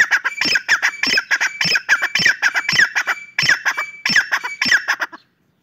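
A francolin gives harsh, grating squawks in quick bursts, about two per second, over a faint steady high tone.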